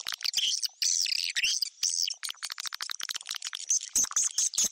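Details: Lure sound for attracting swiftlets to a bird house, with shrill twittering and fast ticking chirps, roughly two per second, in uneven runs of high, thin notes.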